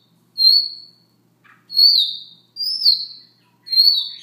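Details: Siberian rubythroat singing softly in the morning: four drawn-out high whistles, level or gently falling, separated by short pauses, with a faint low note between the first two.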